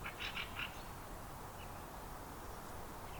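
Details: Spotted nutcracker calling in a cemetery in Finland in September 2023: a quick run of four harsh, rasping notes, then two fainter ones, over a steady low rumble of background noise.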